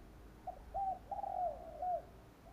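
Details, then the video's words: Spotted dove calling, used as a lure for wild doves: a quiet string of low whistled coos, short then longer and gently falling, over steady background hiss. "Chim cu gáy kích bổi nhanh nổi hiệu quả"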